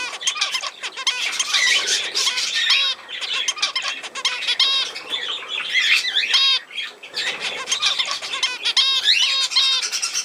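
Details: Budgerigars on 17 November 2024 keep up a continuous, loud warbling of quick chirps, buzzy squawks and looping whistled notes, dipping only briefly halfway through.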